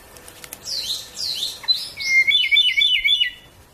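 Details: Ryukyu robin, an endangered species endemic to Okinawa, Japan, sings a few high, sweeping whistled notes, then a quick run of about eight short, bright repeated chirps, against a quiet background.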